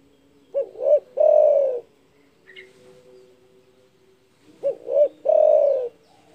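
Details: Spotted dove in strong voice, calling to provoke rivals: two phrases about four seconds apart, each two quick coos and a drawn-out coo, with a faint high chirp between them.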